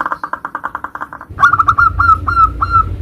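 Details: Zebra dove, local bird, in 'nutut' song variation meant as a lure for other zebra doves: a fast pulsing series of soft notes, then six clearer rising-falling cooing whistles. Some low background rumble.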